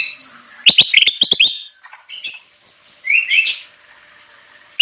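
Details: Kutilang emas bulbul in full lively song used for luring wild birds: a burst of sharp rapid chirps, then scratchy high notes and a bright rising whistled phrase, with a final sharp note at the end.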